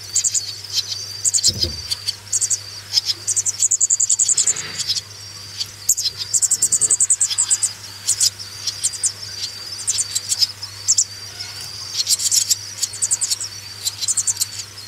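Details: Swallow young being raised, a long stretch of high twittering begging with sustained squeaky notes and rapid peep bursts, a few faint low thumps in between.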